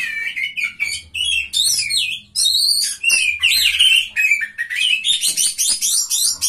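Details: Singing contest entrant, an Oriental magpie-robin ranked third, gives a dense, energetic medley of chattering trills, whistled slurs and scratchy notes with hardly a pause, a low drone faintly behind.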